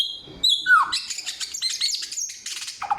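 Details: Brief samyong song, loud and clear: a steady high whistle, then a low slurred note and a rush of buzzy, jumbled high twitters.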